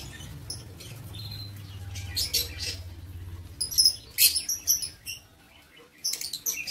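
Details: Shrill, squeaky chirps from lovebirds in a breeding aviary come in a quick cluster of high notes after a quieter opening, with a low background hum.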